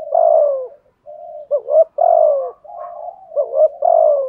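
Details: Thúc gù cooing from a decoy spotted dove with a thổ voice: long downward-sliding coos alternating with quick two-part notes and a soft steady hum-like note.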